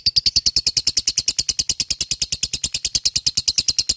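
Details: Lovebird kept as a contest fighter bird, singing full ngekek: an unbroken, rapid chatter of high, scratchy chirps, about eight per second, steady in pitch and pace from start to end.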